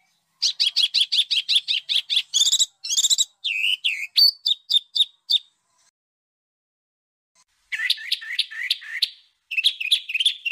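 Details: Coarse tutor song for home and contest birds: a steady series of sharp high chips, then varied twittering and dipping whistles, a silent gap, and scratchy warbled chatter at the end.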